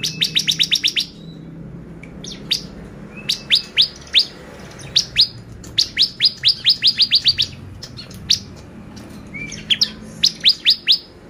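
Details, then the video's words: Bar-winged prinia song used as a lure to excite other birds: bursts of sharp, steeply falling high chips repeated rapidly in fast series, with short pauses between bursts. "PANCINGAN CIBLEK GACOR bikin burung ciblek EMOSI"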